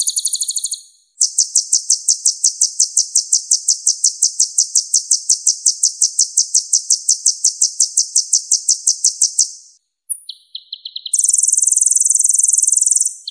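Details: Purple-throated sunbird, known in East Java as kolibri ninja, with a long, fast, high, metallic trill lasting about nine seconds, then brief sharp notes and a final buzzy high burst; otherwise clean and quiet.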